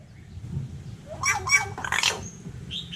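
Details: Hill myna in Vietnam talking like a person: three quick, breathy, syllable-like bursts in a row, then a thin high whistle and faint chirps over a soft low hum.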